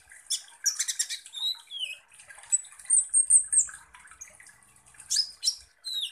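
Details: Sunbird (kolibri ninja) lure song, somewhat quieter: clusters of clicking high chirps, a long thin whistle near the middle, and falling squeaky slurs, with faint low background noise.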